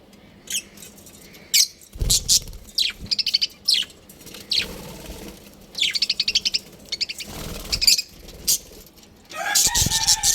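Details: Happy pet budgerigars playing at home, chirping busily with rapid high trills, squeaks and warbled chatter in overlapping bursts, some louder scratchy notes near the end.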